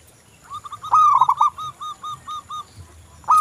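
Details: Zebra dove of a local type, busy singing played as a lure to make doves sing: a stuttering burst of coos, then a steady run of about eight short, evenly spaced soft coos, then another phrase begins.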